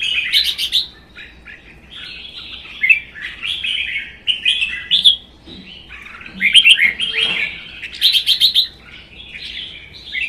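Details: Contest singing by caged red-whiskered bulbuls in Vietnam, a captive-bred bird and a wild-caught adult; lively, rolling whistled phrases overlap closely, with crisp high notes repeated roughly every few seconds.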